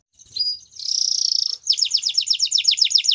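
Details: Belgian canary: a short note, a level buzzy trill, then a quick series of falling sweeps repeated about four times per second.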